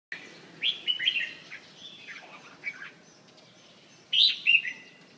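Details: Red-whiskered bulbul (chào mào) giving short, warbled, bubbly phrases, then a pause and a louder, bright two-part burst near the end, over a steady hiss.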